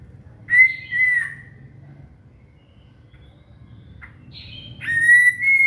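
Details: Shama (murai) song recorded as tutoring material for a cililin: a clear whistled note near steady pitch, a short chip, then bright rising whistled phrases with high overtones, over a low background hum.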